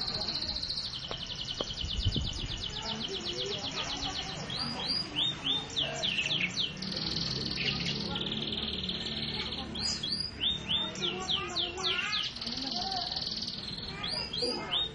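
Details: A canary sings a long, rapid song of buzzy sustained high trills broken by runs of sharp falling whistles, with a faint low thump early on.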